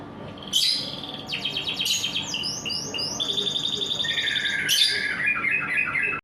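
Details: In the morning a canary delivers a lively, varied song: sharp rising notes, fast buzzy trills, stacked descending sweeps and a closing run of short chirped phrases.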